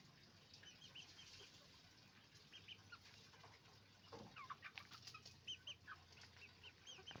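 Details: Hens and roosters on a chicken farm: a dense chorus of short, high clucks and squawks from several birds, growing busier toward the end, with a brief flap or thump midway and a low steady hum.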